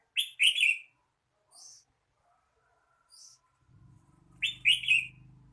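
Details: Red-whiskered bulbul opening with a loud warbled phrase, quiet high notes in between, then the phrase repeated near the end over a low background hum.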